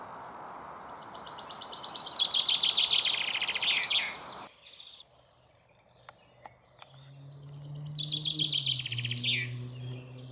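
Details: Common chaffinch perched on a large stone about ten metres away after drinking, singing up close: a bright accelerating trill of repeated notes ending in a quick descending flourish, heard twice with a quiet gap between and a low hum beneath.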